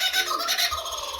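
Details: A captive Crested Caracara calls excitedly from behind a door as food is about to arrive: harsh, raspy, high-pitched calls in a quick, uneven burst, with faint room noise behind.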